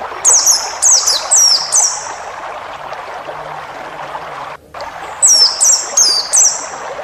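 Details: White-eye song used to train cage birds: a quick run of four thin, high, downslurred whistles, a pause of about three seconds, then another run of four, all over continuous background hiss.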